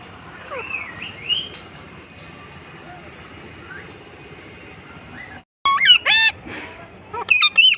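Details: Pet green parrot kept at home, giving a few faint curved calls early on, then after a brief gap loud harsh squawks and shrill wavering screeches near the end.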